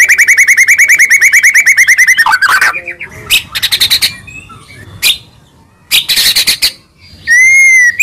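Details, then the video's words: White-rumped shama song: a fast run of repeated whistles, then harsh chattering bursts and clicks, ending in a clear rising-falling whistle. "MASTERAN MEWAH MURAI BATU FULL ISIAN"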